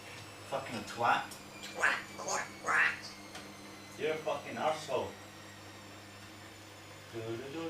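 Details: A pet African grey parrot mimics human speech, including swearing, in a series of short, voice-like phrases with rising and falling tones, with a steady indoor hum behind.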